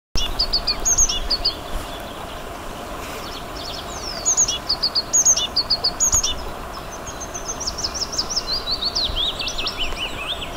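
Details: An azure tit in April 2023 in Moscow Oblast, Russia, sings high, thin notes in quick clusters, followed by a run of sliding trilled phrases.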